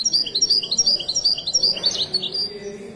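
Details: High, rapid goldfinch song from a Moroccan Widani bird: bright repeated twittering notes fill most of the three seconds, then change into a tumbling, slightly harsher figure near the end.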